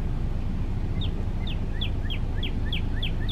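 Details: A singing male Northern Cardinal gives a quick, regular series of short, sharply falling whistled notes, roughly three per second, over heavy low-pitched background noise.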